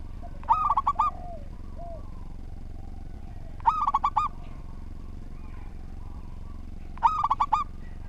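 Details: Local Indonesian zebra dove, kept as a vigorous singer and used as a master song for tutoring other birds: three cooing phrases, each a quick stuttering run of about five hollow notes, about three seconds apart, over steady low background hum.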